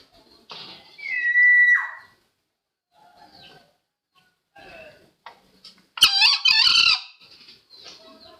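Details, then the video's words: Green junglefowl crow used as a trapping lure: one loud, harsh, buzzy two-part crow rich in harmonics, lasting about a second, preceded by a sharp falling whistle and faint rustling and clicks. "Suara ayam hutan hijau ampuh buat pikat!!"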